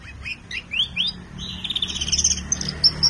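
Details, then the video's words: Colour canary in a collection, singing a few rising slurred notes, then a rolling high trill and thin whistled notes toward the end, with a low background hum. "KENARI WARNA ISTIMEWAH"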